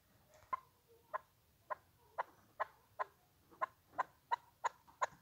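A chukar partridge gives a series of about eleven short, throaty chuck notes, starting at about one every half second and speeding up slightly toward the end.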